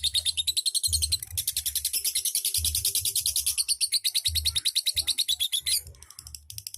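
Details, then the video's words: Lovebird delivering ngetik and ngekek song, a dense rattle of sharp, high chirps in rapid succession that thins out near the end, over a recurring low hum. "KICAU LOVE BIRD 100% MANTAB NGETIK NGEKEK"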